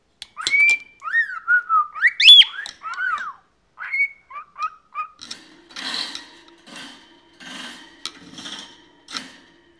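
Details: A 14-year-old male pet cockatiel indoors whistles a quick run of looping, up-and-down notes for several seconds, followed by scratchy rustling sounds and a person calling a cat.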